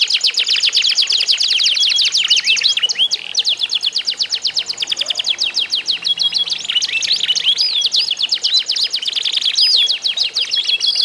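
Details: Canary song from a singing contest of several canaries, played to prompt other canaries to sing: dense rapid trills of high, sharply falling notes, with whistled and rolling phrases layered over one another, continuous throughout.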